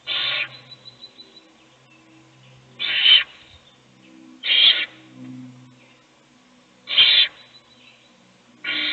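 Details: Owl in a nest box, one chick fed by an adult as the others sleep; five short, breathy rasps at uneven intervals, with soft low rustling and shuffling between them.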